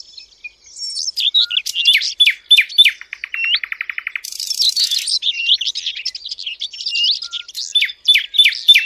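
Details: Sylvia warblers heard on a hunting lure recording, giving dense high chirps and upslurred whistled notes, a run of rapid clicking ticks, and a brief harsh rattle, with many birds calling at once.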